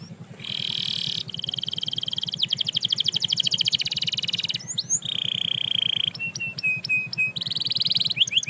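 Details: Canary singing to encourage other canaries to sing again: long buzzy rolled trills and steady pulsing tones alternating with brief swooping whistles, over a low constant hum.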